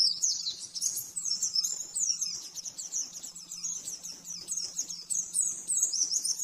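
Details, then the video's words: Oriental white-eye singing fast 'nembak-nembak' master song for training caged birds: continuous very high, clipped twitters and rapid trills with small pauses, over a faint low hum. "Masteran burung pleci nembak-nembak 100% jernih"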